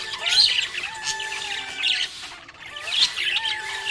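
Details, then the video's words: Happy budgie gives two loud bursts of scratchy high chatter about two and a half seconds apart, with quieter warbling and a sustained musical tone between them. "Happy budgie chirping sound"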